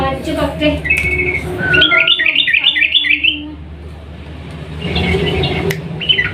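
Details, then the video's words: Sooty-headed bulbul singing 'ropel panjang', the long rapid style, as a lure for quiet bulbuls: a descending whistle followed by a fast cascade of bubbly trilled notes, then quieter chirps amid background noise. "trucukan gacor ROPEL PANJANG pancingan burung trucuk yang macet bunyi agar ikut bunyi"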